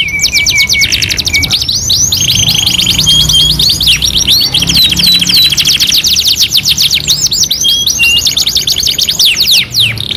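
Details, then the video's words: Canary song, two-in-one master recording: a low flat whistled note, then varied high trills, steady tones and sweeping notes in rapid succession with hardly a pause. "MASTERAN KENARI 2 IN 1 | CANARY SINGING"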